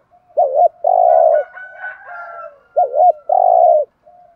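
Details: Spotted dove used as a decoy to lure wild doves, giving two loud phrases of a wavering double note and a long hoot, with softer overlapping cooing from another dove between them.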